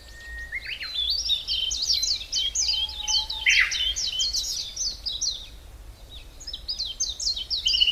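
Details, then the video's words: Wild birds singing in the Hallerbos, a mixed deciduous forest south of Brussels, Belgium: fast chains of high, sweeping descending notes in repeated phrases, a brief pause, then more bright rapid phrases, with a low steady forest hum beneath. "Beautiful Birds sounds"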